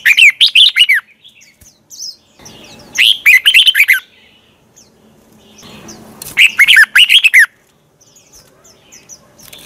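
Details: Red-whiskered bulbul singing a lure song at dawn, a twisting voice meant to train and provoke rival bulbuls. Three short bursts of quick, bright, warbled notes come about three seconds apart, with faint rustling between them.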